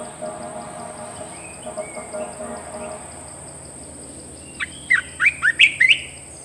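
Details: Caged red-whiskered bulbul: after a few seconds of faint murmuring background noise, a sudden run of six sharp, sweeping whistled notes delivered quickly and loudly, with a steady high electronic whine throughout.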